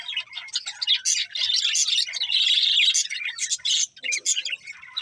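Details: Contented budgerigars eating and warbling, dense rasping chatter swelling into a sustained loud stretch, then choppier chirps and a brief low note near the end.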